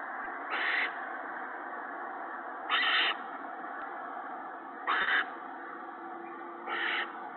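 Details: Owlets and adult owls in a nest on 19 March 2017, evening prey deliveries of mice and a rabbit; four loud, raspy hissing screeches spaced about two seconds apart over steady background noise.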